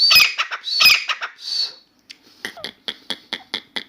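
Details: Captive grey francolin calling indoors, newly started and singing continuously: two loud, harsh, screechy phrases, a softer trailing note, then a run of sharp dry clicks.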